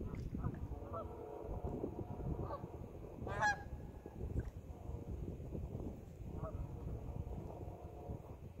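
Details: Geese in a pond giving scattered nasal honks with clear harmonic stacks, one loud harsh call in the middle, against a low rumbling background.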